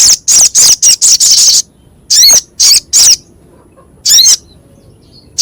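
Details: Crescent-chested babbler with a rough, sharp voice, used to train songbirds: a quick string of harsh, buzzy high notes, followed by slower, separate rasping calls.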